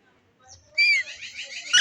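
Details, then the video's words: A pet rose-ringed parakeet, which its owner says seems angry and refuses to come down, gives a sharp, downslurred screech followed by a burst of harsh chattering notes; a man's voice is heard faintly beforehand. "indian green parrot sounds"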